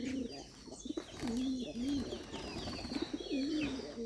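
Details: A Rajshahi Giribaz pigeon gives low, throaty, wavering coos in short repeated phrases.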